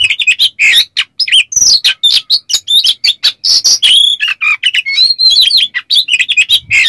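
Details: Kacer, Oriental magpie-robin, in nonstop rapid song used as a lure for other magpie-robins, full of rough 'besetan kasar' material: fast-changing sharp chirps, slurred whistles and scratchy rattles with barely a pause.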